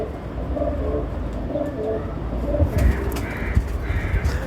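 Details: Ferozpuri pigeons, a pure domestic breed: several low, soft cooing notes over the first three seconds, then fainter cooing half-buried under loud rushing noise and clattering knocks.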